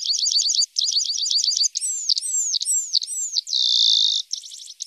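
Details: Training song of a Horsfield's bush lark, meant to add new material to young larks' repertoires: quick trilled bursts, then a series of slurred, descending whistled notes, a sustained buzzy tone and a final short trill.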